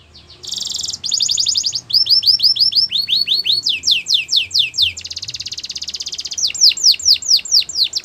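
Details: A Belgian canary sings changing tours: a brief buzzy burst, then steady runs of looping high sweeps repeated several times a second, a dense rattling trill, and a final set of descending whistles over a faint low background hum.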